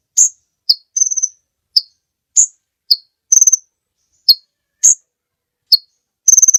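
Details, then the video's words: Sunbird known locally as kolibri ninja, singing in a long training recording for other birds: short piercing high notes and brief stuttering trills in an irregular repeating sequence, clean and without background. "Suara Burung Kolibri Ninja Pikat gacor Durasi Panjang mantab buat masteran"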